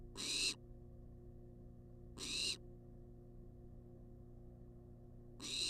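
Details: Wild barn owl demanding food in a research nest box: harsh breathy hisses, one at the start, one near the middle and another beginning at the end, separated by long quiet spells over a low hum.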